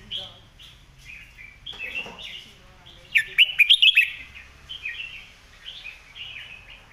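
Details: Red-whiskered bulbul singing a sharp, clear master song used for tutoring other birds: a loud burst of rapid warbled, whistled notes about a second long, amid softer chattering phrases from other birds.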